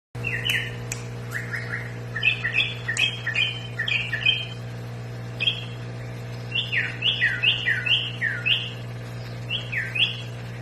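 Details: Sooty-headed bulbul, called a rare batik bulbul, kept as a cage bird; bright, bubbly phrases of short warbled notes repeated in bursts, over a steady electrical hum.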